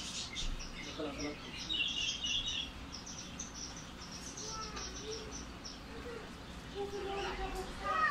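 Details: Baby lovebird during hand feeding gives a run of rapid, shrill chittering calls in the first seconds. Softer squeaks follow later, with low murmuring and room noise underneath.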